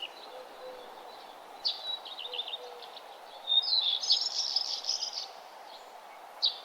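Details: Birds singing at sunrise along a nature trail: short high chirps and twitters scattered through the clip, with a brighter burst of rapid warbling midway, over a steady low background hum.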